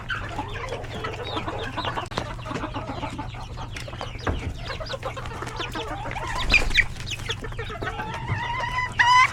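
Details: Hens, roosters and chicks in a coop at feeding time; continuous chatter of clucks and thin chick peeps, rising to louder drawn-out squawks toward the end, low hum underneath.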